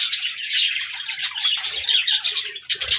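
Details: Colorful budgies singing and chirping on 14 January 2024, dense scratchy warbling with quick tweets, plus some low rustling and bumping sounds.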